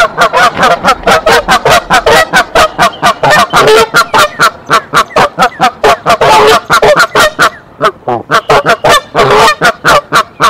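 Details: Nesting female goose at Decorah raising the alarm on 27 March 2023 so the male comes to the nest; a long, dense barrage of rapid honks, over twenty in quick succession, loud and rasping with barely a pause.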